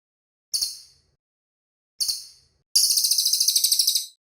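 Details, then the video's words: Cililin bird singing clearly: two short, hissy, high chirps spaced over a second apart, then a rapid buzzy trill of about fifteen pulses lasting over a second, in a quiet setting. "BURUNG CILILIN SUARA MANTAP, BERSIH, DAN JELAS"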